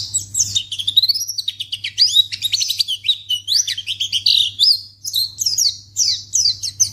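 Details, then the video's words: White-eye (pleci) calling to provoke an immediate reply from other white-eyes: a fast, varied twitter of thin, high notes, some rising and some dropping, running almost without pause, with a faint steady hum underneath. "Pleci Akan Langsung Merespon Memancing Bunyi Burung Pleci Bahan Jenis Apapun"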